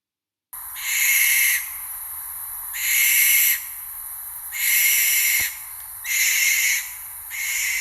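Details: Eastern Barn Owl, found across Australia incl. southeast Queensland in grasslands, farmland, open riparian woodland, arid zones and cities, giving its typical rough hissing screech: long, rough screeches about a second each, repeated roughly every two seconds with short quiet gaps.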